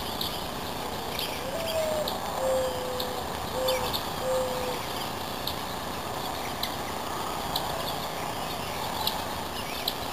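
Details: A dove in the Sny Magill Valley of northeastern Iowa, in the morning, gives a short run of four or five soft, low coos over about three seconds, over steady outdoor hiss and faint high chirps.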